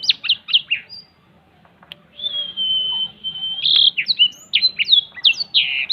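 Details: Black-throated canary singing in the cetekan style while opening its wings: quick bursts of high chirps, then a long steady whistle held over a second, then a run of rapid, varied sharp notes.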